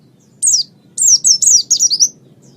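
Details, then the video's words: White-eye song from a training master recording: after a silence, a burst of five or six high, bright downslurred chirps in quick succession. "Ocehan Suara Burung Pleci"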